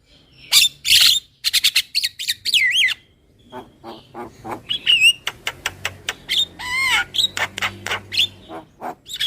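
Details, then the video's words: Javan myna lure call: a busy run of harsh squawks and loud clipped notes, mixed with whistled upslurs and a wavering whistle near the end, coming in quick irregular bursts. "SUARA PIKAT JALAK KEBO SUPER KENYIH"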